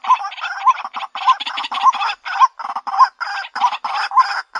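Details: Harsh, raspy croaks from a White-breasted waterhen, used as a lure call, come in a quick, uneven series. Each note begins with a short, clear, upward-hooked tone.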